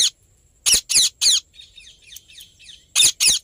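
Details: Indian ringneck parrot making happy sounds: three loud, harsh screeches in quick succession, a stretch of soft twittering chatter, then two more harsh screeches close together.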